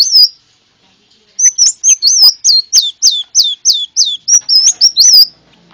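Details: Konin bird, a sunbird, in a luring recording: a brief chirp, a pause, then a lively series of sharp downslurred whistles repeated roughly every quarter second, ending in fast twitters.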